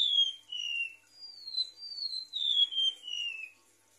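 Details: Golden-bellied gerygone whistling on a lure recording: a falling high note, a short pause, then a chain of linked downward-gliding whistles descending step by step to a soft close.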